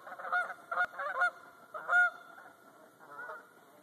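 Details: Geese flying past overhead above a watershed in Talladega National Forest, Alabama, heard from a canoe: several short nasal honks in loose bursts, overlapping at times, with a brief click near the start.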